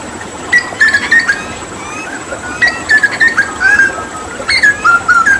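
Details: Hooded butcherbird (Cracticus cassicus) from Papua, known for imitating other birds, during water therapy; clear whistled notes in short phrases, some sliding down, others level, delivered in several quick clusters.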